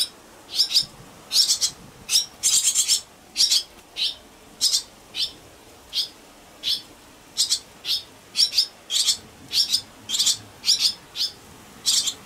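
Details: Barn swallow nestlings, four together in the nest on an evening in June, give a loud chorus of high, scratchy begging calls in short bursts, roughly every half second to second, after one chick fell during a jostle for position and then returned.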